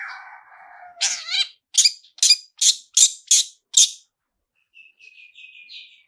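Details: Long-tailed shrike "toet toet" song used to provoke singing: a low steady hum first, then seven loud buzzy bursts in quick succession, followed by faint thin whistles.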